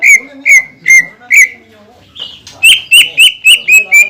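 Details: Greater green leafbird singing to stir rival leafbirds into song: four clear, slurred whistles at steady half-second spacing, a short buzzy pause, then a quicker series of loud rising whistled notes.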